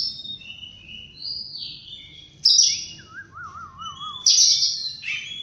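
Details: Oriental magpie-robin morning song: sliding whistled phrases, two loud high bursts, and a lower wavering trill of repeated up-and-down notes in the middle.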